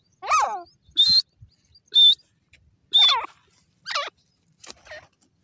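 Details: Grey francolin calling: loud harsh notes that sweep downward in layered tones alternate with short buzzy high notes, about one per second in a regular series, against a quiet background.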